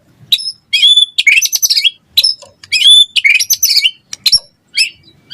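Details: White-rumped shama in lively song, used to prompt other shamas to answer and sing: rapid bursts of sharp, high chirps and squeaky whistled phrases separated by short pauses, with a few harsh notes mixed in.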